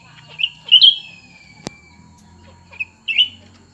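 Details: Cucak ranting birds, one old and one new, sing against each other. Piping whistled notes come in small clusters, and a single sharp click falls midway through.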